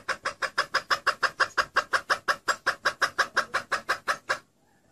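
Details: Female red junglefowl lure call used to attract males: a fast run of short, harsh clucks, about three per second, steady and evenly spaced for over four seconds, then stopping.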